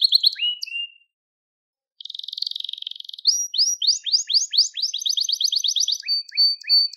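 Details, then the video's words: Crested Gloster canary: short notes and a level whistle, a brief gap, then a buzzy pulsed trill, a run of rapid upswept syllables and alternating flat whistled tours. "Muhteşem Tepeli Gloster Kanarya Ötüşü | Gloster Kanarya Sesi"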